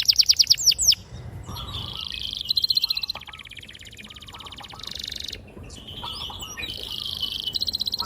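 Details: Canary singing long rolling gacor song, clear and sharp, used to encourage young canaries to sing: a fast opening chip series, then softer sustained high trills with faint lower chirps beneath.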